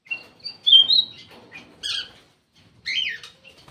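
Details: Lure call of a black-crested bulbul: a bright slurred whistled phrase, soft ticking, then two separate scratchy chirped notes after a short pause.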